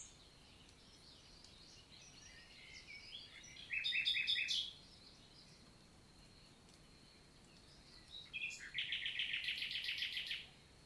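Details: Wild common nightingale in daytime song, Lot valley forest, south of France, 11 June 2023: two loud phrases of fast, pulsed repeated notes, each a second or two long, divided by several seconds of quiet woodland ambience.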